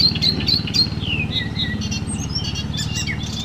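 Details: Icterine warbler, which copies other birds, singing a varied sequence of chirps, whistles and sliding high notes over a constant low rumbling background.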